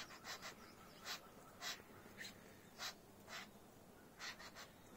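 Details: A red-billed blue magpie, filmed from a terrace at Sitabani Wildlife Reserve near Jim Corbett, Ramnagar, India, gives harsh, raspy, breathy notes in short uneven bursts, about nine in five seconds, over a faint steady hiss.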